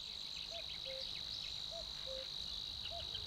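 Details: Savi's Warbler at Lake Neusiedl, Austria, a migrant from African rainforest, hidden and betrayed only by its calls: an unbroken, high, insect-like reeling buzz, steady in pitch, with soft, low, short whistled notes every second or so.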